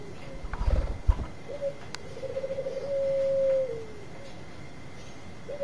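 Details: Bangkok-type zebra dove, kept for luring, sings a low rapid string of pulses that swells into a long, steady, mellow note. Some thumps and handling knocks come first, with a constant faint hum.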